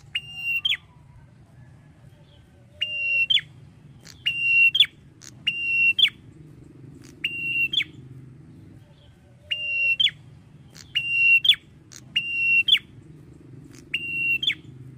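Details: Male red-headed prinia singing tirelessly with drawn-out notes: about ten steady high whistled phrases, each ending in a quick rising flick, given in irregular bursts over a low background rumble.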